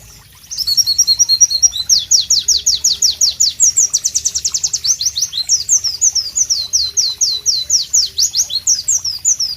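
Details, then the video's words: Pleci (White-eye) singing loudly and melodiously: silence for half a second, then dense, rapid, high-pitched chirps and sweeping whistles in rhythmic runs, with a buzzy trilled stretch midway. "Masteran Pleci Bird Sounds Loud, Sharp and Melodious"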